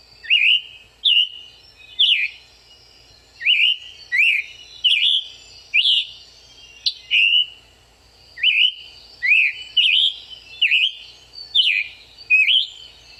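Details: Scarlet Tanager singing high in the canopy: a robin-like warbling, buzzy song of short slurred phrases, each clear burst separated by brief pauses, repeated steadily roughly twice a second with slightly longer gaps between groups.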